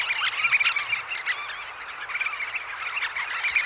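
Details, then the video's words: Early-morning roost of Eurasian oystercatchers at Snettisham in close-up. Overlapping shrill, slightly rising piped calls from numerous birds pour out continuously, loudest in the first second. "Oystercatcher. Early Morning. CU Calls From Oystercatchers At Roost."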